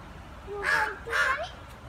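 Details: Two crows fighting give two loud, harsh caws in quick succession, each a nasal burst with stacked harmonics, the second ending in a short upward inflection; faint background hum.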